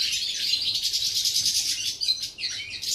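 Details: A European goldfinch recorded 11 September 2018 gives rapid, tinkling twitters, then a few separate upslurred chirps toward the end.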